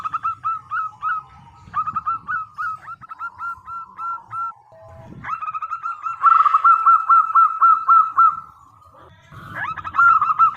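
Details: Local zebra dove singing crisply as a lure for other doves: a spaced run of short whistled coos, a brief gap, then a sustained loud rippling trill and another rising burst at the end.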